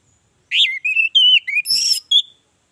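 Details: Orange-headed thrush singing, a lure to set other birds off: a short phrase of rising and falling whistles, a buzzy rasping note, then a final thin whistle.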